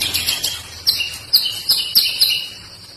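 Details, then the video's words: Trotol singing: a series of sharp, high whistled notes repeated about every half second over a dense background of other high chirping birds. "trotol gacor mental preman"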